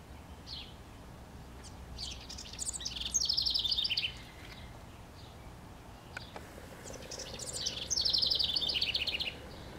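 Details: House wren singing from a treetop in northwest Regina, Saskatchewan, Canada, on May 25, 2015: two rapid, bubbling, high chattering phrases of about two to three seconds each, separated by a pause, over a low steady background hum.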